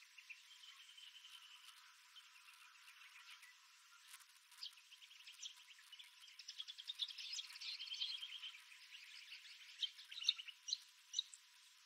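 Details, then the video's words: Desert birds at dawn on Wolfe Creek Crater rim, Kimberley, Western Australia, recorded on a 360 camera: a thin high trill early on, then livelier chirping and sharp twittered notes building toward the end, with a few louder calls. "Bird Sounds - Wolfe Creek Crater - Western Australia"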